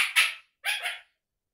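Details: Pet Indian ringneck parakeet chattering non-stop: two harsh, raspy screeches, each about a third of a second long, separated by a brief silence.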